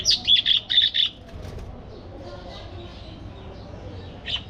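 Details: Quick run of bright chirps from budgerigars in an aviary, five or six in the first second, then quiet background chatter and one last chirp near the end.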